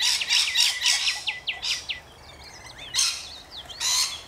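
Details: Rainbow lorikeets in Australia giving fast runs of sharp sliding chirps mixed with harsh screeching bursts, with thinner twittering notes between them.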